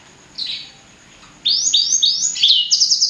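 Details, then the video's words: Blacksang hybrid of blackthroat and sanger gives one faint note, then a quick run of loud, high, falling whistles ending in buzzy trilled notes. "Kicau Merdu Blacksang Gacor"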